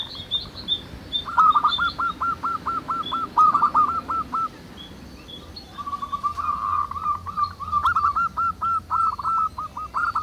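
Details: Several local zebra doves singing together in the wild: rapid series of short, clipped cooing notes at mid pitch, one run near the start and another busier overlapping run later, with faint higher chirps from other birds.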